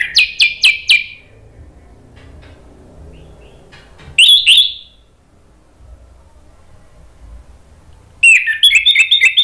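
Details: A rapid run of sharp repeated notes from an orange-headed thrush, then one rich whistled phrase mid-way and another quick series at the end, a lure song for coaxing other birds to respond.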